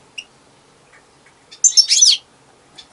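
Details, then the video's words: European goldfinch singing alone: a single brief burst of high, bright twittering notes lasting about half a second, preceded and followed by faint isolated chips in an otherwise quiet setting. "Щегол (Carduelis) - пение щегла в гордом одиночестве"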